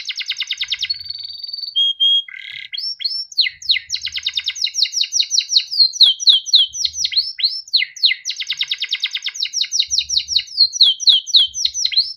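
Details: Melodic song of a yellow Timbrado canary, mixing steady whistles, rapid buzzy trills and long runs of repeated swooping notes in varied tempo.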